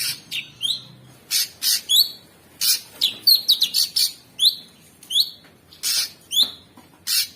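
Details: Sooty-headed bulbul heard in masteran audio for schooling champion songbirds with rough fill. A rapid run of sharp, down-slurred whistled notes is mixed with harsh buzzy bursts, about two per second, clean and close.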